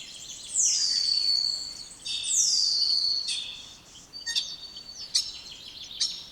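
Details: Two loud downslurred whistles from a spotless starling open the phrase. Clicking, rattling notes and quick sharp chips follow, repeated at an uneven pace.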